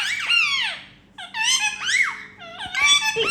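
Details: Happy sounds from pet Indian ringneck parrots playing and flying around indoors: squeaky, wavering whines that swoop down in pitch, in three drawn-out phrases.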